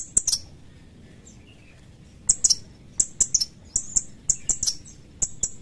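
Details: Sooty-headed bulbul with sharp, high chirping calls, a burst at the start, a pause, then steady pairs and trios of bright slurred notes to the end.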